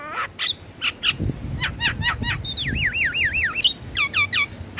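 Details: Song of a black-winged starling used to stimulate caged birds to sing: separated upswept whistles, then a run of quick wavering warbled notes and falling whistled slurs, with a low rumbling background.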